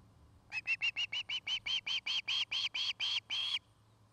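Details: Nesting osprey in Charlo, Montana, recorded by a nest cam: a run of about fourteen whistled chirps, short at the start and steadily lengthening, ending on a longer note.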